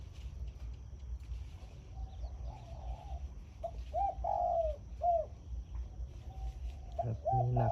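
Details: Zebra dove, a caged decoy bird, cooing in the morning in the 'khan yon' style: short bubbling rounded coos, some slurred downward, in loose clusters over low rumbling background noise, with a brief rustle near the end.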